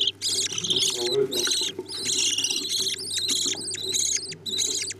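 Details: Budgerigars feeding their chicks: dense, overlapping harsh buzzy begging calls pour out almost without pause, with a soft low murmur and a steady hum behind them.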